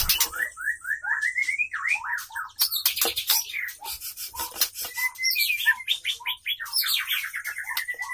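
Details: White-rumped shama, murai batu, during mating with male courting female: rapid series of slurred whistled notes rising and falling, rattling bursts and sharp clicks, with loud knocking and tapping sounds throughout.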